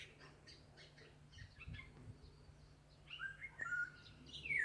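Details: Birds singing in the mountains: scattered short high chirps, then clearer sliding whistles and a downward-swept note near the end, over a steady low hum.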